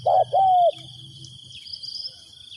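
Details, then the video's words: Spotted dove used as a decoy to attract wild birds gives a single low coo phrase, a clipped note then a longer falling one, followed by quiet with a faint high insect hum. "chim cu mồi gáy gọi bổi"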